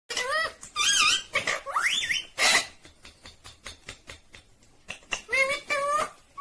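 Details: Indian ringneck parrot talking: a run of harmonic, speech-like phrases with sliding, wavering pitch, separated by short harsh bursts and brief pauses.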